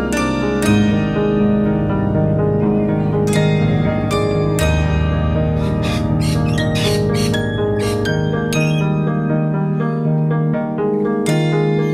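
Plucked, harp-like instrumental music plays throughout with no clear animal sound.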